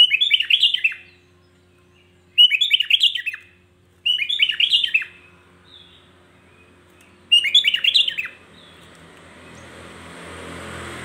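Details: Provocative song of a sooty-headed bulbul, aimed at stirring other bulbuls: four rich, gurgling phrases of tumbling whistled notes, separated by short pauses, then a rising hiss of background noise at the end.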